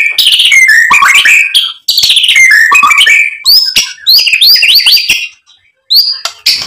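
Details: White-rumped shama song meant to excite another bird: loud bursts of mixed whistles, slurs and harsh notes, then quicker upswept chirps separated by brief silences.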